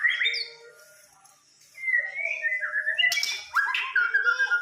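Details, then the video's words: Fighter white-rumped shama from Samarinda giving a rapid medley of whistled and slurred notes with harsh squawk-like bursts, quiet for a moment early on, then loud varied phrases to the end. "murai fighter"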